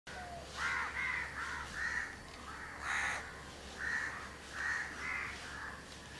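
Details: House crow pair grooming each other in Candolim, Goa, December 2010; harsh nasal caws repeated roughly every second, with a steady low hum underneath.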